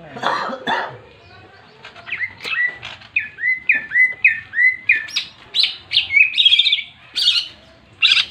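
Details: Fighting song of a greater green leafbird, ngentrok jenggrik style, meant to stir other leafbirds: harsh low chatter at the start, then a series of curved whistles building into rapid, high twittering phrases.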